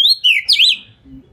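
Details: Oriental magpie-robin (kacer) lure song, meant to make other magpie-robins answer; a short clear whistled phrase sliding down then sweeping up, followed by faint low background rumble.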